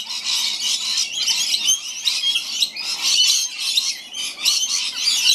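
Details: Many rainbow lorikeets gathered to feed on a rainy day on the Gold Coast. A dense, constant chorus of shrill, scratchy screeches and chatter overlaps throughout, with no gaps between callers.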